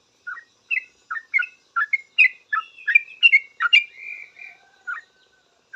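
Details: Sooty-headed bulbul answering other bulbuls in noisy rapid song, liquid chirping notes strung together, with a brief drawn-out whistle in the middle before the phrases thin out.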